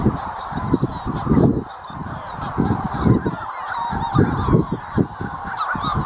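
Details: Manx shearwaters near North Haven on Skomer give harsh, throaty cackling calls in rhythmic bursts that rise and fall, with several birds overlapping almost continuously.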